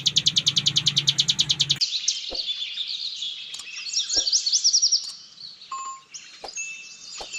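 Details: Bar-winged prinia (cigun) opening with a quick burst of repeated high ngebren pulses, then switching to a looser twittering of squeaky, varied high notes with a few sharp clicks, meant as masteran for other birds.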